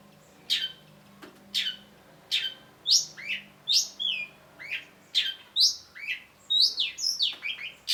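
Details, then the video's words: Long-tailed shrike masteran song: loud, clear, high whistled notes, each sliding downward, given in a brisk series and growing faster and more varied, with twittering phrases near the end. "cendet gacor MASTERAN CENDET BAHAN AGAR TIDAK MACET SUARA || Long-tailed Shrike"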